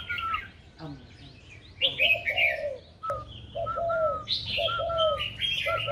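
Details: Spotted dove kept and trained for its cooing voice, giving soft low coo phrases paired with a clear higher tone, repeating steadily in the second half, with scattered high twittering from other birds.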